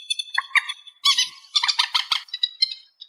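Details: Amplified song of a reed warbler: high, squeaky, metallic notes and short grating bursts, given about twice a second in an uneven rhythm.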